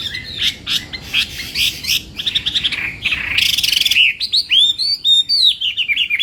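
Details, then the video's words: Chinese hwamei singing in morning voice training, a fast, varied run of loud whistled and chattering notes, some sliding upward, with a harsh buzzy burst midway and clear arched whistles near the end. "hoạ mi hót sáng luyện giọng"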